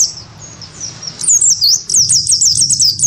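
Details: Great tit (gelatik batu, wingko type) singing hard, provoked into its fighting song by a white-eye; after a quiet start, rapid high whistled slurred notes repeat about five times a second in a steady run.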